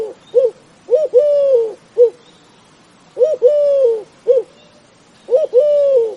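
A dove gives soft, low coos: two short notes, then a longer drawn-out coo. The phrase repeats about every two seconds against a quiet background.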